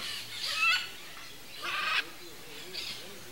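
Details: A mated pair of wild Red-and-green Macaws squabble in Brazil's Cerrado, giving three harsh, raspy squawks, each about half a second long, spaced over a few seconds, against a faint background hiss.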